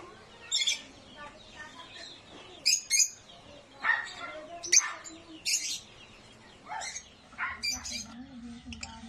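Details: Loud, shrill chattering from captive African lovebirds (Agapornis) at breeders: piercing high chirps in irregular clusters, several overlapping, with brief pauses between bursts.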